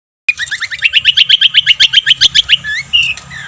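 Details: Songbird master recording for training competition birds, featuring rough 'tembakan' fill notes: after a short silence, a rapid trill of about sixteen sharp, ringing notes that climb slightly, then a few slurred whistles.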